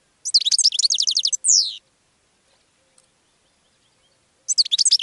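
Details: A goldfinch sings to attract other birds: a bright, fast run of repeated twittering notes, closing with a long descending buzzy slur, then silence before a fresh twittering burst starts.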